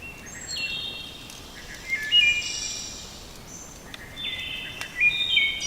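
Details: Several Wood Thrushes sing at a campsite around dusk, overlapping clear, flute-like phrases that step up and down, each ending in a higher, shimmering trill, against soft background hiss.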